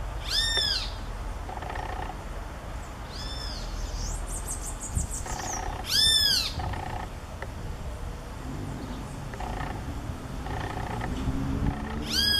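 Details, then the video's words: Great kiskadee (bem-te-vi) calling loudly in nature: loud, rich, arched notes repeated every few seconds, with fainter answering calls between, over a low background rumble. "Bem te vi chamando alto da natureza"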